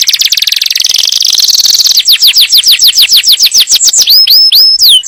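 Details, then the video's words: Yellow canary song meant to ready a female for breeding and tutor chicks: a dense buzzy high trill, then quick descending whistled notes repeated several per second, ending in looping upswept notes. "تغريد كناري أصفر لتجهيز الأنثى وتعليم الفراخ"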